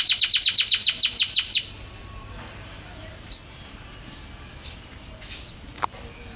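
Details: A champion canary gives a fast run of about a dozen sharp descending notes, then falls nearly silent apart from one short whistle and a faint click.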